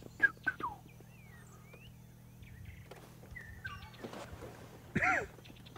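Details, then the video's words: At sunrise on 16 May 2016 in Sabi Sand, an oriole in the open gives scattered liquid, whistled chortling notes over a low engine hum, with sharp clicks and other birds calling as green wood hoopoes begin cackling. "You can hear the chortle of an oriole as well."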